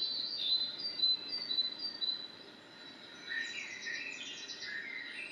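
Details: Common blackbird song: a run of high, thin notes, a brief pause, then a lower, richer warbled phrase that slides about in pitch, over faint steady background noise.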